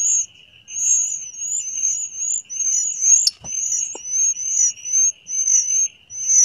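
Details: Blood-breasted Flowerpecker in the wild in the mountains, giving very high, thin, sharp notes, about two each second, over a steady insect-like drone.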